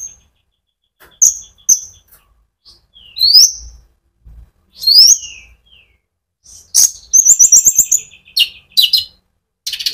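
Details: Sunbird (konin) in lively, continuous rolling song, used as a lure to stir up other birds: sharp high chirps, rising whistled notes and a dense, fast trill near the end, separated by short silences.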